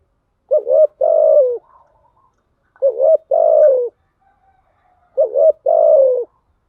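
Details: Decoy-stimulating coos of a spotted dove in the thúc gù and gáy gọi styles: three low phrases about two seconds apart, a short wobbling note then a longer steady coo that sags at the end.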